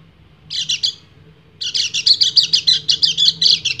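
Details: Male white-eye (kecial kuning), in breeding condition, sings in the ngecir style to attract a female. A short high burst comes first, then a pause, then a longer run of fast, pulsing chattering notes.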